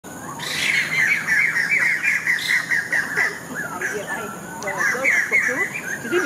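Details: Wild white-crested laughingthrush in Singapore giving harsh calls: dense, overlapping raspy chattering notes that rise and fall almost continuously for about six seconds, over a steady high-pitched background hum.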